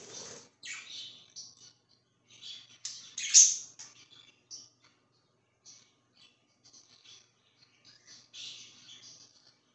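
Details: Pet budgie giving soft, scattered chirps and short scratchy notes, one louder squawk early on, then quieter clicks and twitters with gaps.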